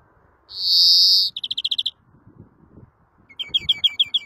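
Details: Greenfinch song opening with a drawn-out wheezy buzz, followed by a quick burst of about eight repeated notes and then a looser series of chirps; light background rumble.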